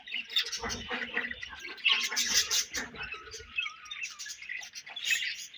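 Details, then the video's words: Dense chatter of a budgerigar colony, continuous high, grating chirps and squawks overlapping throughout, with faint low rustling beneath. "Budgies Colony Chirping Sounds"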